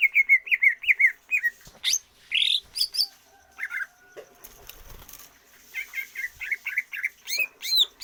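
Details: Greater green leafbird, exercised for stamina without free flight so its breath grows longer. Loud, wavering whistles repeat quickly, interrupted by a buzzy note and brief rustling, then resume in a bouncing series.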